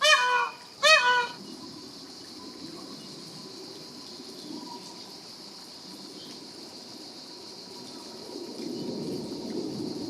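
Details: Two loud, harsh, wailing cries of a peacock open the recording, followed by quieter background noise and a steady high hiss for the rest.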